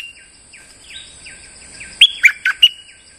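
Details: Bulbul lure recording of a moulting champion bird still singing as usual: a run of faint, quick descending whistles, then four loud, sharp, clipped notes in fast succession over a steady high hiss.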